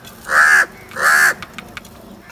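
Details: Two drawn-out, harsh crow caws in quick succession, then faint clicks and rustles.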